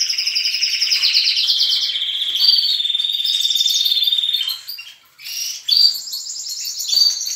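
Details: Dawn in a canary breeding room with young and adult canaries singing: a loud rolling trill runs for several seconds, drops to a brief near-silence, then chirped notes and short trills resume from several birds.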